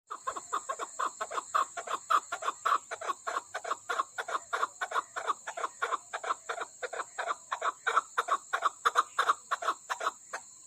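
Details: Female chukar partridge, a Pakistani bird from the Koh-i-Suleiman range, giving a rapid run of short clucking notes at about three per second, steady and unbroken for ten seconds, with a constant high electrical whine behind it.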